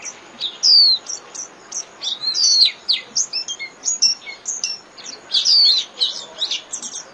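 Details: Líu song of a Japanese white-eye, a daily training recording for caged birds: a busy jumble of high twittering notes mixed with a few longer, louder downslurred whistles, steady throughout.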